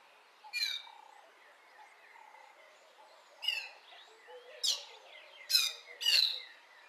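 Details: Lesser striped swallow singing in a garden early in the morning; sparse, slurred buzzy notes separated by gaps, then a closer cluster of bright twittering phrases near the end, faint hum behind.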